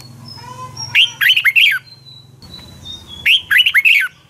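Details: Red-whiskered bulbul giving a morning fighting song of the kind used to train birds: two loud bursts of quick warbled, slurred notes, each burst about a second long, with a thin high whistle and a low hum between them.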